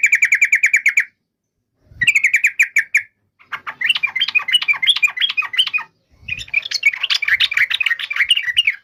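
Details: Yellow-vented bulbul giving crisp rattling runs of repeated notes, then two long stretches of fast, warbling chatter.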